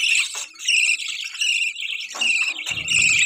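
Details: Mating budgies chatter in quick, squeaky, warbled chirps that run almost without pause, with a brief low thud at the end.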